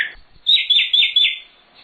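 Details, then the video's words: Nightingale (sikatan londo) song recorded as a master for training cage birds: a brief high note, then four loud, rasping strokes in quick succession, each about a fifth of a second, and a faint closing note. "Suara Sikatan Londo Nightingale Gacor Full Isian"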